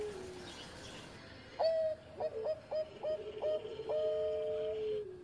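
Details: Engkel-style song of a zebra dove that once won competitions: a sharp opening coo, then five short, regularly spaced coos and a drawn-out final note, with a fainter lower cooing tone beneath and light background hiss.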